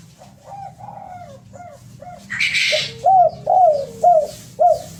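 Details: Derkuku, or spotted dove, song played as a lure: a run of soft coos, then a brief rustling burst, followed by louder arched coos roughly every half second over a low hum.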